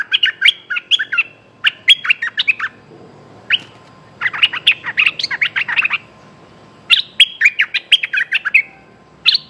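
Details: Streak-eared bulbul calling for a mate, giving bright, bubbly chirping phrases in quick bursts of several notes, pausing between bursts; no other sounds stand out.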